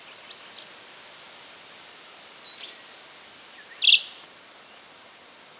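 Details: Song of a rufous songlark, Victoria, Australia, September 2011: soft scattered high notes, then a sudden loud ringing phrase followed by a rapid pulsed trill of about a dozen notes.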